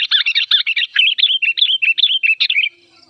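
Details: Old sooty-headed bulbul in an agitated, raging mood, loud and clear: a rapid run of short, sharp chattering notes, bright and slightly descending, about four per second for nearly three seconds, then silence.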